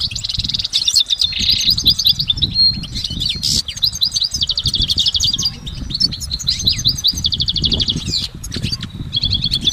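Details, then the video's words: Continuous goldfinch song in nature, layered and full, mixing fast liquid twitters, dry buzzy rattles and sharp high clicks without a pause for nearly ten seconds; low rumbling noise underneath. "Exceptional recordings of the goldfinch in nature"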